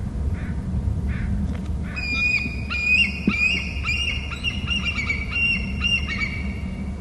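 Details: On Hornby Island near its nest, a bald eagle bursts into a rapid chatter of high, thin piping whistles after two quiet seconds, running on for about five seconds above a low hum.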